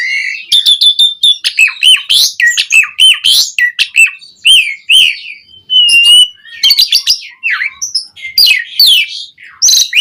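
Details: Asian pied starling in long rich song for prompting caged birds to sing: dense fast chatter with clear flat whistles, squeaks and harsh notes running almost without break.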